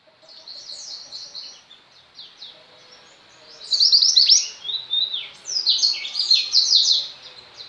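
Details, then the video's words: Female mountain mantenan white-eye singing tirelessly, used as tutor song for pet white-eyes: high, thin twittering phrases of quick descending chirps, a louder burst midway, with faint background hiss. "mantenan gunung betina gacor, cocok untuk masteran burung pleci anda."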